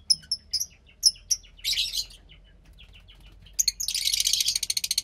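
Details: Roughly 15-day-old Fischer's lovebird chick of lutino and pastel blue parentage, in captivity: a series of short high peeps, then a dense, rapidly pulsing scratchy trill, with a faint low hum throughout.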